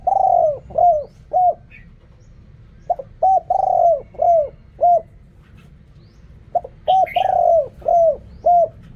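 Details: Spotted dove cooing in the Thai 'riak kham, khu kham, ok rong' style: three similar phrases of clipped notes, a long falling coo and trailing short coos, repeated every few seconds, with a brief high chirp from another bird.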